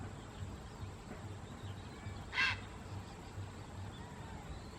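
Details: Grey heron recorded on 12 October 2014 with a Canon PowerShot SX60 HS camera: a single short, harsh croaking call bursts out midway, standing alone against a steady low background hum.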